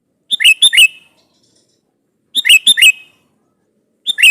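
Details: Sooty-headed bulbul in full, lively voice, calling a rival to provoke an answer: short bubbly phrases of three or four quick liquid notes, repeated about every two seconds in clear silence.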